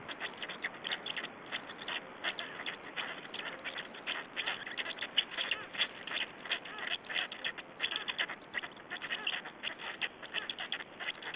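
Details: Black storks in Estonia being fed, 20 May 2012: about 85 harsh rasps a minute, irregularly spaced and continuous for the whole stretch.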